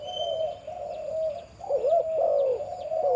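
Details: Spotted dove, a breeding male with a deep voice, kept on a farm: continuous low, wavering coos that swell and dip, with a brief thin whistle early on and faint high chirps.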